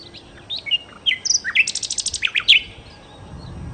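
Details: Nightingale song with scattered chirps and whistles building into a quick trill of high repeated notes, closed by a few sharp descending calls, with a low rumble toward the end.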